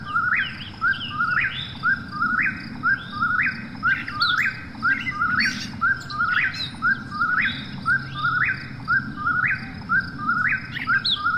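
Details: Eastern whip-poor-will at night keeps up a regular chant of whistled, upward-flicking phrases, about one each second, while short bursts of other high bird calls cut in.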